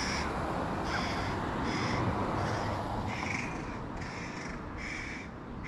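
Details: Begging hooded crow fledgling in a tree near its mother, one of three young, as the father brings fish to a sibling; short raspy caws repeated roughly every half second to second beneath loud, steady rushing noise.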